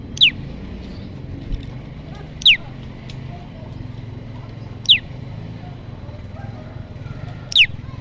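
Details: Olive-backed tailorbird lure recording for trapping: four loud, sharp downward-sweeping chips spaced roughly two and a half seconds apart against a constant low background hum.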